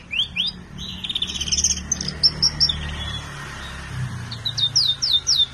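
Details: Colour canary from a collection delivering trilled phrases of quick high notes, then a pause and a series of sharp downward-sweeping notes repeated about twice a second, over low background hum.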